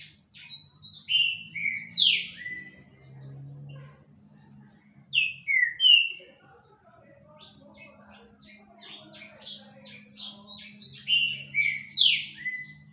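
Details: Green-winged saltator singing vigorously, with loud rich whistled phrases of downslurred notes in two bursts separated by quieter chirping, and a steady low background hum.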